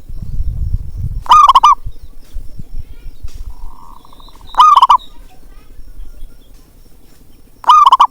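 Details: Local zebra dove calling, played to coax lazy doves into voice: three strong, rolling coo phrases spaced about three seconds apart. A soft distant coo and low rumble lie between them.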